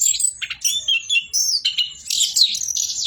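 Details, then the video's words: Unbroken warbling from an orange-headed thrush singing 'bocor': bright, wavering whistles and rapid twittered runs blend into one continuous, rich phrase. "BURUNG ANIS KEMBANG BOCOORRR"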